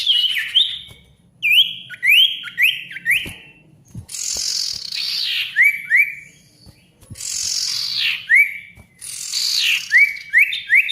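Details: Ashy tailorbird singing loudly for silent tailorbirds to copy: groups of three or four quick whistled upslurs alternating with raspy buzzy bursts, repeated throughout.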